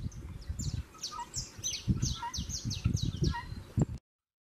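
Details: Saffron finches in a fight near the start of breeding season: a string of bright downslurred chirps and lower whistled notes, over thumping and scuffling that stops abruptly.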